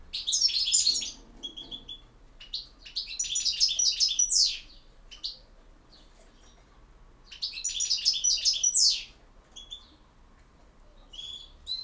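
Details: European goldfinch singing in the campero style: bright, high tinkling twitters and buzzy trills in three dense bursts of about two seconds each, separated by short pauses with a few scattered chirps.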